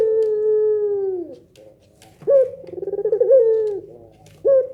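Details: A Barbary dove in pelung nangguk voice, a call that makes other doves respond, ending a long level note, then launching a new coo with a vibrating roll and falling end, a third beginning.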